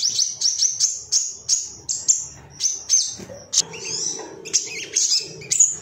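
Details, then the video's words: Ruby-cheeked sunbird, an excited male seeking rivals, in a recording used to get other birds singing: evenly spaced, very high sharp notes, then a busier passage of twittering and descending chirps. "MASTERAN SOGON AGAR CEPAT NGALAS GACOR"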